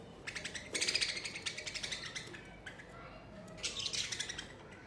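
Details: Pet budgies chattering in summer, a run of quick scratchy chirps and buzzy warbles repeated in short pulses, a pause, then another burst near the end.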